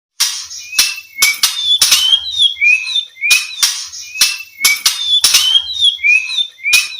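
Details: White-rumped shama song, played to stir silent shamas into singing: short slurred whistles repeated about every second, broken by loud sharp clicks and snaps throughout.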